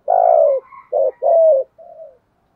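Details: Spotted dove in the 'giọng thổ' voice style, a decoy bird calling to provoke wild rivals: one long, low, slightly falling coo, then two shorter coos and a soft, trailing final note.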